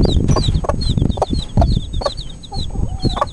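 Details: Cuckoo Marans chicks, four days old, peep rapidly in high, slightly downslurred notes, several birds calling over one another, with steady low rumbling and knocking in the background.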